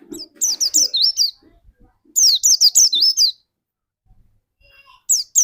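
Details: A white-eye used as a lure to trigger another bird's song gives rapid bursts of high, sweet, down-slurred whistles with wavering notes, phrases separated by pauses and faint background rustling.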